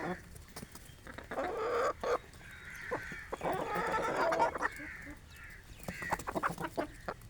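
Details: An Aseel rooster and hens feeding on grain on a village morning, clucking and cackling in a busy, uneven stream of harsh mid-pitched notes, with a drawn-out louder cackle in the middle.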